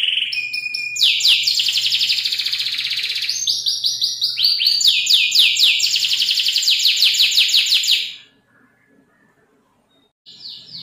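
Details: A canary (Serinus canaria), meant as a tutor song for training other songbirds, pours out a fast, high song of rolling trills and chattering repeated notes for about eight seconds, falls silent, then starts again.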